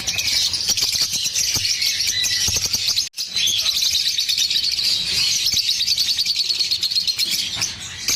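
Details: Chirping lovebird song: a busy, unbroken run of high, scratchy twitters and squeaks, cut by a brief near-silent gap just after three seconds, then resuming equally dense, with sharp ticking clicks mixed in.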